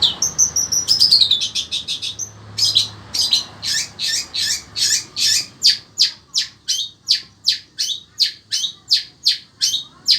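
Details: Caged long-tailed shrike of the sembur type in Indonesia, singing nonstop in fierce heat: a few high whistled slurs and chattery phrases, then sharp high notes repeated briskly, nearly three per second, with quiet room hum.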